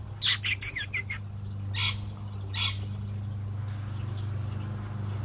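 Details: Curious wild male rainbow lorikeet near an aquarium in an Australian garden, where he visits every day: a quick cluster of shrill chirps, then two isolated harsh squawks, with a constant low mechanical hum beneath.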